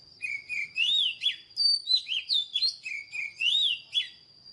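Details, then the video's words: Oriental magpie-robin singing flowing, melodious phrases of long slurred whistles alternating with quick notes, with a steady thin high tone behind. "เสียงนกกางเขนบ้านหรือนกบินหลาขี้ควายใต้ Chòe than HÓT MÚA ĐẲNG CẤP || THÚC CHÒE THAN BỔI HÓT"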